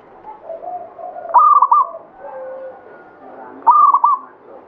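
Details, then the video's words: Zebra dove, local bird of the Banyumili katuranggan type, in full song: two loud, broken, trilled coo phrases about two seconds apart over quieter, lower cooing in the background. "SUARA PERKUTUT LOKAL KATURANGGAN BANYUMILI GACOR"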